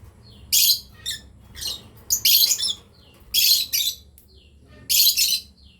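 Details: Loud screechy chirps from a lovebird breeding pair, roughly one harsh burst per second, with faint softer squeaks between them.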